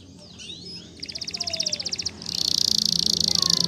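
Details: Spanish Timbrado canary training song over a low background hum: a faint slurred whistle, then a quick pulsing trill of about fifteen notes, followed by a loud continuous metallic roll.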